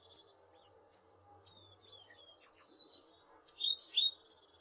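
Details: A tit, recorded in western Poland, gives high, thin chirps and a quick run of bright, sweeping notes, then two short notes, over a faint low hum.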